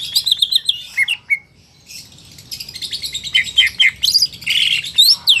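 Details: Market greater green leafbird pouring out a fast chattering song of high twittering notes and slurred whistles, briefly pausing, then resuming with dense chirps and a harsh buzzy note.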